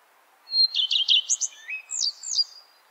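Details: Common Redstart singing a single phrase: an introductory high whistle, a quick series of repeated chirps, and a twittering, scratchy finish, against a soft background hiss.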